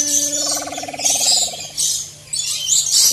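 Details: Wild maleo giving one drawn-out, rich harmonic call that fades after about a second and a half, over constant high chirping from other small creatures and a faint low hum.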